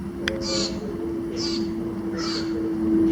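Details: Black bird slightly smaller than a robin, crow-like singing, Calgary, Alberta, Canada, July 22, 2025, volume amplified: three rasping high-pitched notes spaced under a second apart over a constant low hum.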